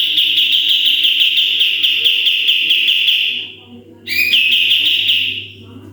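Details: Sooty-headed bulbul singing vigorously in the full 'tembakan' style for training other birds: a sustained rapid trill of high notes for over three seconds, a pause, then sharp rising whistles running into another trill.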